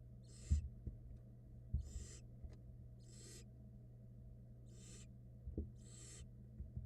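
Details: Wild barn owl chicks on a nest cam in Florida, one nestling gulping down a rat at feeding time; five rasping, breathy hiss bursts spaced one to one and a half seconds apart, steady low hum and soft thumps beneath.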